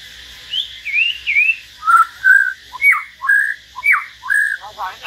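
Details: Common hill myna singing solo beside a white-rumped shama: a few wavering whistles lead into a repeated pattern of clear downslurred and rising-level whistled notes, delivered in quick succession.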